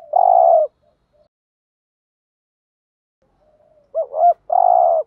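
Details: Decoy spotted dove calling to bring in wild doves: the end of a long throaty purr, a pause of about three seconds, then a fresh phrase of a rising double coo and extended rolling burr.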